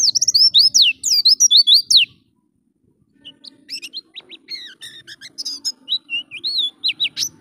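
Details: Energetic ngalas song of an Oriental white-eye meant to stir and train pet white-eyes. Two quick volleys of shrill, sweeping chirps are followed by a silent pause. Softer, scattered whistled notes then build again, with a faint hum behind.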